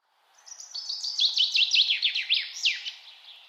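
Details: Birdsong outdoors: a quick series of high, repeated down-sweeping notes, roughly three per second, that swell in loudness and then fade out.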